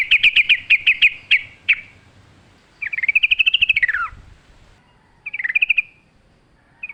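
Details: Forest-singing yellow-vented bulbul: a fast series of clipped chirps opens, then a long bubbling rattle that climbs and drops, followed by shorter chattering bursts.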